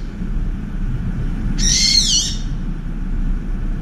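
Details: Brown-eared bulbul driving a wild pigeon from a window feeder with piercing cries. A single harsh, wavering screech of under a second, falling slightly at its end, amid steady low-pitched rumble.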